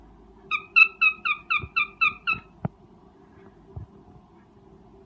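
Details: Mating call of a breeding cockatiel: a quick series of eight sharp, slurred-down notes at a steady rhythm, then quieter clicks and knocks with a continuous low hum behind.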